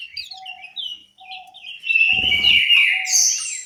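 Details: In an aviary in Malang, East Java, an orange-headed thrush sings a series of short whistled notes that build into a loud, continuous warble. Soft low tones repeat beneath it, and there is a brief low rustle.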